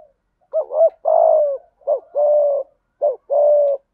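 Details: Decoy spotted dove calling: three deep mellow phrases, each a short rounded note followed by a longer steady coo, repeated about every second and a half in silence.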